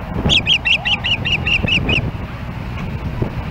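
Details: On a nest in Hellgate Canyon, Missoula, Montana, an osprey calls as an intruding osprey approaches, July 4, 2016. Roughly nine shrill, whistled chip notes come in quick succession over faint background rumble, picked up by a nest camera.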